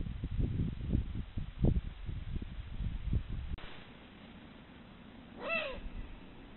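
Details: Eurasian eagle-owl, one of a male-female pair calling at dusk from a rocky outcrop to court and warn rivals off their territory: one short, harsh, slightly falling call after low rumbling thumps and wind noise.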